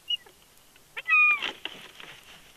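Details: Bald eagle at a live nest cam in Big Bear: a brief thin high note, then a drawn-out squealing whistle with a fainter overtone lasting under half a second, ending in a harsh rasp, followed by soft scratchy rustling.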